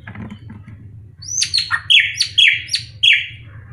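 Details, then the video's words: A very vocal drongo, said to call all day with a highly varied voice, sings a run of sharp, high, downslurred whistles, about two or three per second, after a second of quiet, over a faint low hum. "Srigunting Krantil Gacor"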